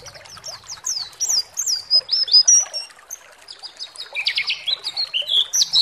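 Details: Bait song of a white-eye, played to rouse other white-eyes to sing with open beaks: a lively, varied string of high twittering and slurred whistles, briefly dipping lower into buzzy notes before climbing again.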